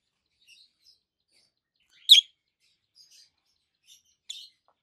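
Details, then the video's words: Adult peach-faced lovebirds, two green birds, one with a red face and one with a yellowish white face. Faint twittering is broken by one loud, shrill, rasping chirp, then a softer harsh call two seconds later. "Lovebirds Sounds - Peach-faced Lovebird"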